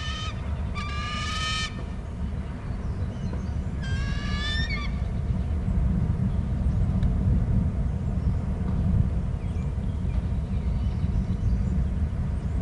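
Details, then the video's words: Eagle screeching at a Hornby Island nest during a changeover of egg duty between the parents: two short bursts of rapid, piping high notes, followed by long stretches of loud wind noise. "dad in and em is screeching"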